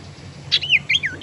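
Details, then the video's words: Tailorbird lure sound, used to attract birds and to stimulate tailorbirds that are sluggish or reluctant to sing: a short burst of high, quick whistled and slurred notes with a faint low hum behind. "suara pancingan sirtu teras"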